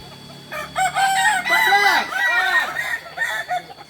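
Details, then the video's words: Kokok Balenggek rooster practising in Ampang Kualo, Solok, West Sumatra; a multi-part crow of distinct arching syllables, stepping up and down in pitch like a staircase, carries for about three seconds over quieter background crowing. "Ayam kukuak balenggek"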